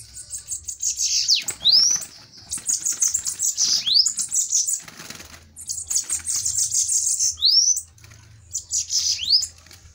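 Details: Bananaquits in a fiery fighting duel, high thin buzzy trills around the upper range broken by sharp rising slurred notes, repeated in bursts with brief pauses, with wing flutters and a man speaking Portuguese afterward.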